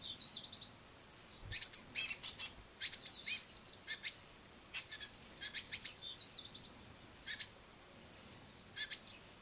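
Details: Great tit young begging while a parent feeds the noisy brood at a window sill bird table: thin high chirps and scratchy calls in clustered bursts over a soft background hiss.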